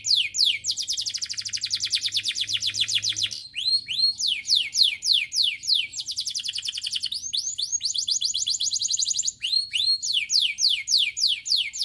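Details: Stimulating canary song for other canaries: long rapid trills alternating with runs of upswept and descending whistled notes, delivered nonstop in changing phrases; faint low background hum.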